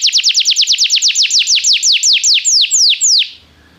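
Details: Belgian canary song used to train singing: a series of bright, falling whistled notes that starts fast and gradually slows and spreads out, then stops abruptly, leaving quiet.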